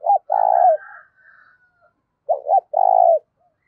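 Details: Loud, clear spotted dove coo used to excite decoy doves. Two full phrases, each a short doubled note and then a long vibrating purr, about two seconds apart, with a faint higher trailing sound after the first.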